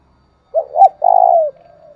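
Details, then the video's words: One spotted dove phrase used as a lure to stimulate another dove, a short two-note hoot then a long steady coo dropping slightly at its end, with a faint soft tail. "tiếng cu gáy thúc bổi"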